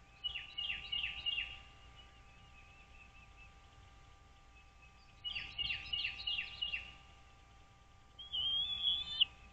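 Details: Wild American bald eagles at their nest on Dale Hollow Lake, Kentucky-Tennessee state line, recorded by nest camera on 09.04.2023 at 08:29: two bursts of rapid, descending squeaky chips, about five notes each, then a thin high whistle, over a low hum.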